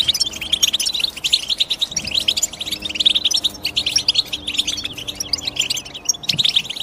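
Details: Dense twittering of European goldfinch, rapid clusters of sharp high chirps and tinkling notes running without a break, a soft low thud near the end.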